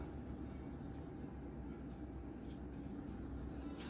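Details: Steady low rumbling like a running vehicle or train fills the recording, with a faint hiss above and no animal voices.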